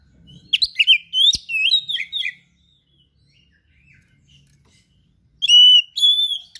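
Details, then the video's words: Full song of a kept oriental magpie-robin: a rapid run of varied chirps and slurred whistles, a quiet gap, then long clear sustained whistles. "KACER GACOR SPECIAL FULL ISIAN"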